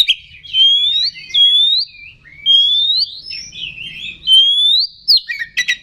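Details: Oriental magpie-robin (kacer) song used as a lure to provoke rival birds and raise their aggression: clear whistled phrases sliding upward, repeated with short pauses, ending in brief sharp harsh notes.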